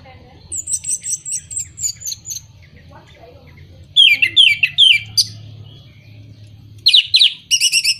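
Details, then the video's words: Song of an orange-headed thrush, meant to encourage birds that are moulting or have stopped singing: a high thin series of repeated notes, then loud rapid downslurred chirps, and a final cluster of shrill notes over a low steady hum. "Pancingan Burung Anis Merah Mabung, Macet, dan Kurang Birahi"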